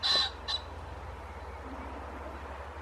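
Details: A common pheasant in Croatia gives a loud, harsh two-note crow, a longer rasping note then a short one, over a faint low rumble.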